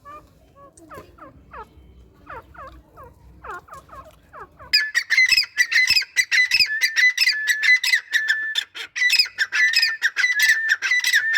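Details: Male grey francolin calling with a female, beginning with faint, soft descending notes, then bursting into loud, harsh, rapidly repeated squawking notes that crowd together at a steady high pitch.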